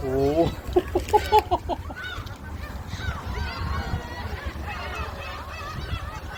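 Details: Gulls being fed shrimp crackers at Jebudo give a burst of sharp, repeated squeals at the start, then fainter mewing cries behind a low mechanical hum and talk.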